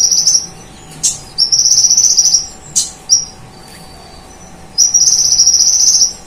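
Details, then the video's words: Konin sunbird in full song imitating cililin and golden grasshopper, used as master recording; high insect-like buzzing trills alternate with abrupt loud chips and a thin faint whistle. "Masteran Konin Gacor Full Nembak Cililin Dan Belalang Emas"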